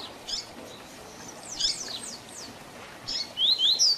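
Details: Young-bird training song of a double-collared seedeater, Tui Tui Zel Zel style. Soft high notes and a few downward strokes, ending in a loud series of rapid rising whistles.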